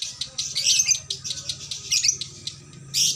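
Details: Caged female lovebird hung in a bird shop delivering konslet, its long unbroken song: bursts of shrill, buzzy chatter broken by short gaps, ending in a loud harsh burst, over a soft low hum.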